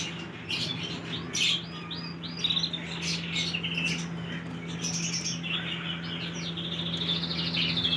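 A canary sings bright, high chirps and short warbled phrases that end in a fast rattling trill, over a low steady hum.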